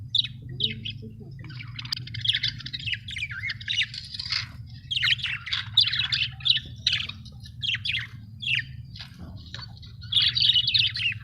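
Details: Happy pet budgerigars chirping: a busy stream of high warbling chirps and short squeaky notes, overlapping and almost continuous, over a steady low hum.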